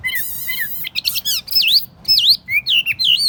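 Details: Caged tamed Chinese hwamei on a table sings short bright phrases: falling whistled notes, buzzy trills, then repeated swooping V-shaped whistles about twice a second.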